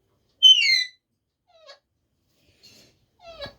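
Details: Talking parrot at home starts with a loud, clear, downward-sliding whistled squeal, then gives a few faint short chirps and a soft rising note.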